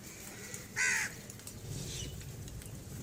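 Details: Crows gathering at feeding time give a single loud, harsh caw lasting about a quarter second, with faint rustling and distant bird chirps in the background.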